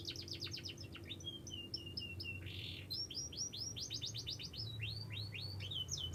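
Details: A young canary sings repeated high down-slurred notes in quick rolling series, a short noisy burst near the start, then steady runs of sweeping chirps, all over a continuous low humming background.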